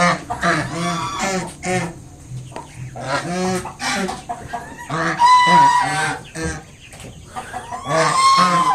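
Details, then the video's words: Mother swan guarding her five just-hatched cygnets honks at a person coming close: a rapid string of harsh, nasal, harmonic honks of varied length, some rising into a squealing tone, with brief pauses between bursts. "Mother swan making sounds to protect her baby swans."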